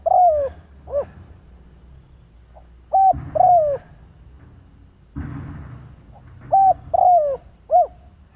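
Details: Spotted dove lure bird cooing to draw out other doves: repeated phrases of short hollow notes and a drawn-out falling coo, about three phrases, with bursts of low rustling noise between them.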